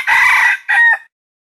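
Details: A wild junglefowl gives a short, loud crow: a harsh, strained first syllable, then a briefer second note ending in a clear tone, all within about one second.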